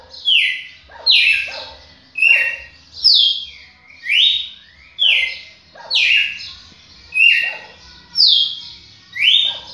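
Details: Steady singing from a champion red-cowled cardinal: clear, loud whistled notes sliding downward, repeated about once a second in an even rhythm over a quiet background.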